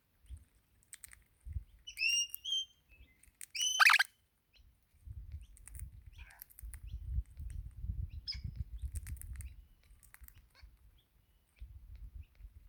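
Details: Wild Crimson Rosella parrot in Australia that visits almost every morning, calling as if asking for food and pecking sunflower seeds from a hand; two clear whistled notes with rich overtones, then a harsh burst, over low rumbling and soft clicks.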